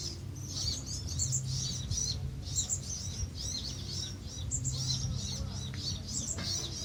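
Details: Colony of Van Hasselt's sunbirds on Pulau Perhentian, Terengganu, Malaysia, recorded in June 2017; sharp high-pitched chips and twitters pour out almost continuously over a low rumbling background.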